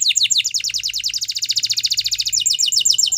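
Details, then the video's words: Spanish Timbrado canary in training song: a fast, steady chain of high, sharply repeated notes, about a dozen per second, changing to slightly different notes near the end, with faint low hum beneath. "The Best Canary Training Song"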